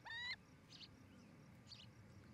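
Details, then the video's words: Osprey at a nest near Charlo, Montana, where a pair is building a new nest: a short whistled call with bright stacked harmonics, then fainter chirps, against a low rumble of background noise. "Osprey Nest"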